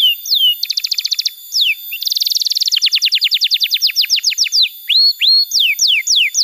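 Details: Canary song played to train young canaries and to restart silent ones: alternating downslurred whistles and dense buzzy trills, then a fast run of falling notes that slows into rising and falling sweeps.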